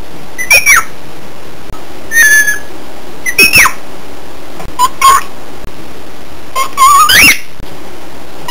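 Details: Pet cockatiel calling indoors: a scattered run of squeaky chirps and short upward-sweeping whistles, some thin and high and a few lower twittering notes, over a steady background hiss.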